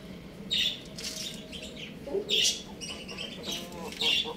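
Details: Young roosters and chicks at play at home give short, shrill squawking chirps in separate bursts about every second, with softer lower peeps between them over a faint steady hum.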